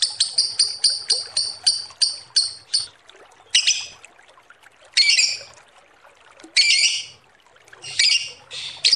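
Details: Lovebird calling in a lure recording: a quick series of about ten high chirps, then harsh, broad squawky bursts spaced a second or two apart.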